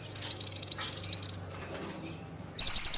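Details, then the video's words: Ashy tailorbird in vigorous song: rapid high thin notes repeated about four per second in a dense run, a pause with faint low rumble, then the fast notes resume. "Masteran Burung Mantenan Gacor"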